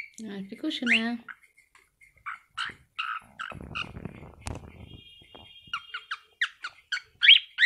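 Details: A young pet cockatiel sitting on its owner's hand sings a run of quick, bright chirps and short whistles, with a woman speaking softly.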